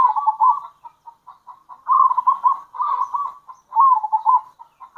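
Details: Local zebra dove calling as a lure; dense continuous rolling coos with short pulsed notes between longer trilled phrases, possibly more than one bird.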